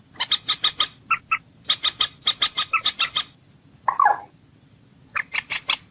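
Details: Common moorhen, locally jal murgi, associated with hunting: rapid strings of sharp high clucks, a pair of softer lower notes, a brief harsh squawk, then more quick clucks.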